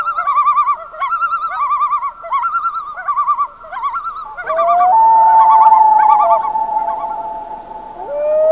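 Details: Night calls of common loons: bursts of fast, quavering tremolo notes repeat for about four seconds. A drawn-out, mournful wail follows and swells toward the end.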